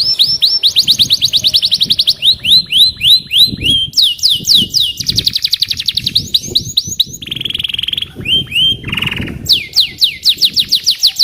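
A canary sings a long, loud run of rapid trilled phrases, shifting between high rippling rolls and lower buzzy churrs with quick whistled slides.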